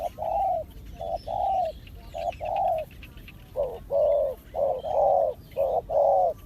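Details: Low cooing of a spotted dove (terkukur), called a good lure bird: about ten hoarse coos in six seconds, uneven groups of short and drawn-out notes against a quiet outdoor background.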